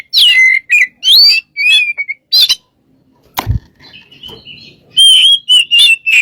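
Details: A lure recording of a singing Oriental magpie-robin (kacer) opens with loud whistled slurs and chirps. A thud and a quiet gap follow, then the bird resumes with clear sustained whistles and short notes.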